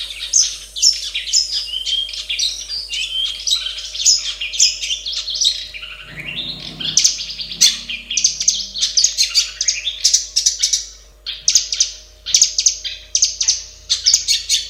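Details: Long-tailed shrike in its natural habitat pouring out a long, fast, varied song of squeaky, scratchy, high chattering phrases with brief pauses, steady and bright throughout, with a short low rustle near the middle.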